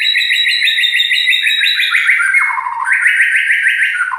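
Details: Loud, harsh-voiced song of a white-rumped shama: fast repeated trilled phrases, briefly dipping lower and then rising again into a sustained high rattling trill.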